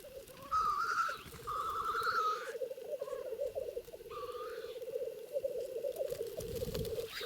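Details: Male black grouse at the lek in the wild Trans-Urals, rivals fighting: a steady bubbling, rolling coo runs throughout, broken by several harsh hissing sneezes that rise and fall.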